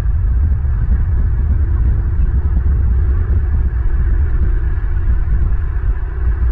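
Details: Loud, constant low-pitched rumble, as of wind buffeting a microphone, fills the recording with no animal call audible.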